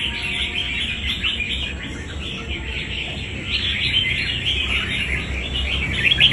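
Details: Wild-caught fighting red-whiskered bulbul singing a continuous stream of quick twittering notes, growing louder in the last seconds, with a constant low hum behind.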